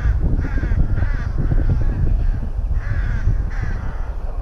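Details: Repeated harsh caws from rooks at a nest in a colony at Tyrnovo: a quick series of three, a pause, then two more, over continuous low rumbling.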